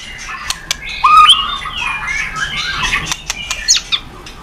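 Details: White-rumped shama song for prompting other birds to sing: a tangle of overlapping whistled slurs and chattering notes with sharp clicks, busier and less clear-cut.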